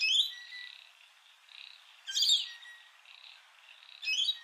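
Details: Rainbow lorikeets at Heatherdale Wetlands, recorded on a Canon R7: harsh, shrill screeching bursts about every two seconds, three loud squawks with softer raspy chatter between them.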